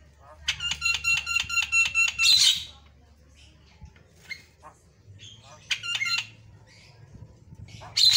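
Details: Prolific singing white-eyed Javan myna (jalak kebo mata putih): a fast string of ringing harmonic notes ending in a harsh squawk, then scattered clicks and a brief second ringing burst.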